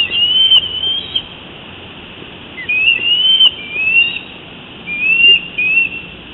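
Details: High, whistled piping from a female bald eagle at her nest, calling to her mate who had just delivered a fish, June 9, 2017; slurred rising notes come in short bursts separated by pauses of about a second.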